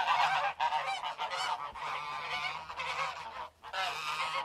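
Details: A group of geese giving loud, nasal honks in overlapping bursts, with brief quiet gaps near half a second and three and a half seconds before the harsh chorus resumes.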